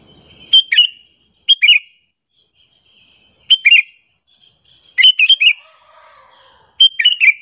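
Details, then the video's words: Sooty-headed bulbul, used as a lure call to draw other bulbuls and provoke them: short bubbly phrases of two or three quick chirping notes, sounding about every one to two seconds with brief silent gaps, and a faint low rumble at the start. "suara panggilan burung kutilang alasan untuk pikat"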